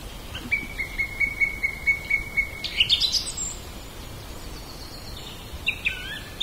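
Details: A common blackbird (Turdus merula) sings in a back yard: a steady series of about nine clear mid-pitched notes, then a quick rising squeaky twitter, with a brief lower phrase near the end.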